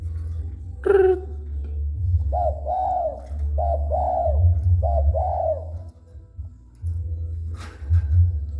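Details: Approached spotted dove giving three rapid pairs of coos, each a brief note then a drawn-out arched note; a sharp squeak opens the passage, with a low hum and clicks beneath.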